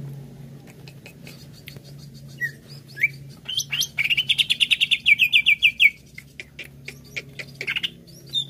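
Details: Greater green leafbird (cucak ijo) song played to lure other birds into singing: scattered chirps, then a fast run of rising, buzzy trilled notes repeated about five times a second for two seconds, with a faint low hum behind.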